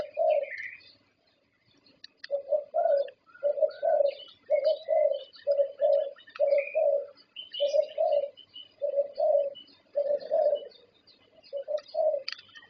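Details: A Thai champion zebra dove, prized in bird-song competitions, repeats low, rounded coo phrases in a steady pulse for several seconds, with thin chirps and twitters of other birds scattered above.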